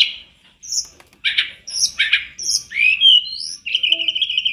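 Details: Sunda robin in full song on a training master: high whistled notes and buzzy chirps, upward-slurred whistles, then a sustained warbling trill near the end, phrases following closely on one another.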